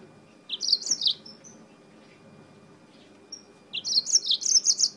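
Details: Yellow-fronted canary (Mozambique canary) from Spain singing a lot: two bright, fast warbled phrases of high twittering notes separated by a short pause, with a faint low hum beneath.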